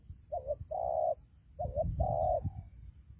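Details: Spotted dove cooing twice during trapping with a fighting decoy: a short wavering note, then a longer steady mellow coo, over a low rumbling noise.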